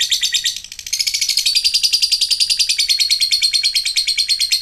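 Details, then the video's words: Lovebird ngekek: after a brief dip, a sustained, fast chattering trill of high, clicking pulses runs on evenly, with a thin whistled tone threaded through it. "ngetik ngekek panjang jadikan Lovebird macet aktif ngekek lagi"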